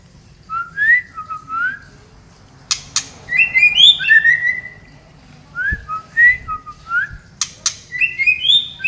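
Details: Female white-rumped shama, Medan, Indonesia, sings loud clear whistled phrases: short rising and falling notes in quick bursts, with sharp clicks, a pause, then a similar whistled series returning.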